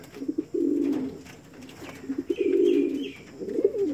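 Reverse-wing Pouter pigeon giving deep, rolling coos in three long bursts, each about a second. Faint higher chirps from other birds sound in the background.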